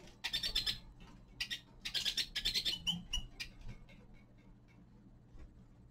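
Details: Young male common linnet singing in winter: bursts of dry, buzzy twittering notes in quick runs, broken by a few short clear whistles and brief pauses.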